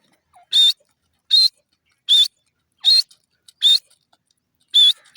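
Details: Grey francolin, known locally as dasi teetar, giving loud, ringing high calls repeated about every 0.7 to 0.8 seconds, six sharp notes in sequence against a quiet, clean background.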